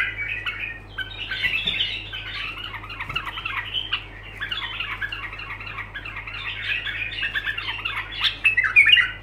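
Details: Long run of continuous bulbul song: scratchy, squawking warbled phrases follow one another with barely a gap, growing louder toward the end, with a faint steady low hum.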